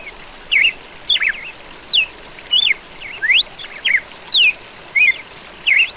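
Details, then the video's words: About ten ringing whistled notes from a red-cowled cardinal, alternating high descending glides and rising slides, paired in places, repeated briskly with steady low hiss behind. "GALO DA CAMPINA"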